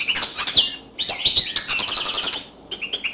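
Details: Yellow canary song pours out in a continuous tumbling stream of fast, high twittering notes, with a sustained rolling trill in the middle and a few sharp chirps at the end.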